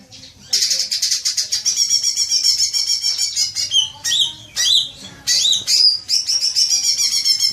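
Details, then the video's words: Green magpie used as a lure for long chattering: dense high chatter mixed with looping, slurred whistles, broken into several short bursts near the end. "Pancingan suara cuca ijo agar cepat ngekek panjang"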